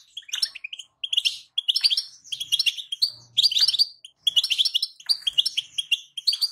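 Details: European goldfinch female calling to excite a male to sing, a stimulation recording: lively liquid twitters in clusters of about half a second, separated by short silences, with a faint low hum midway.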